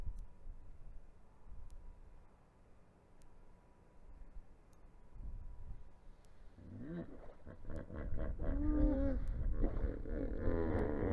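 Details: Yellow-necked spurfowl pecking around near a river in Africa, filmed by a live wildlife camera on 19 March 2021; after quiet background, a burst of loud, harsh, raspy repeated notes with ringing harmonics builds and continues to the end.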